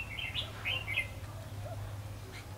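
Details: Decoy red-whiskered bulbul singing to draw wild bulbuls into a trap, recorded 22 February 2016. A quick run of liquid, bouncing chirped notes fills the first second, then a soft closing note, over a low background drone.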